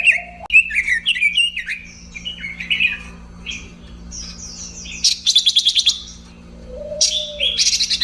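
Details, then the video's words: Robin song: rapid warbled phrases of twisting whistles, then bursts of harsh, buzzy rattling notes, with a steady low hum in the background. "kicau burung robin"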